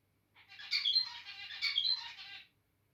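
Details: Captive zebra finch singing: a two-second run of buzzy, nasal, rattling notes with squeaky whistled accents, delivered as two similar linked phrases, indoors with a faint low hum.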